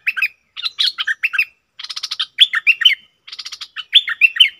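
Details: Cream-vented bulbul, double song style, June 2021: separate phrases of bubbly notes, with a buzzy, rattling stretch in the middle, each phrase followed by a short gap.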